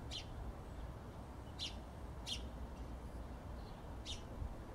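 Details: Faint, sharp single chirps from a sparrow, four in all, separated by irregular pauses, against a steady background hiss.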